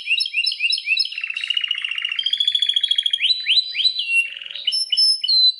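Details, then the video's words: Song of a Belgian canary: rapid upswept chirps, a long buzzy rolling trill, then sharp rising whistles and bright high notes, all in a fast, varied sequence. "O canto canário mais espetacular #85 - OUÇA ISSO e seu CANÁRIO BELGA VAI CANTAR MUITO!"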